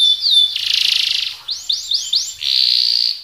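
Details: Canary in lively song: a brief whistle and a dense buzzy roll, four arching swept notes in quick succession, then a sustained rolling trill.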